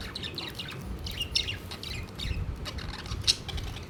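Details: Pet budgerigars gathered around their food plate, giving a busy run of short, scratchy chirps and clicking twitters in quick succession, with one sharper chirp near the end over a steady low rumbling background.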